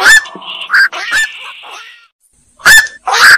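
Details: Black-crowned night heron giving harsh, hoarse squawks: a loud bark, a rasping drawn-out croak that fades, a brief silence, then two more abrupt barking calls close together.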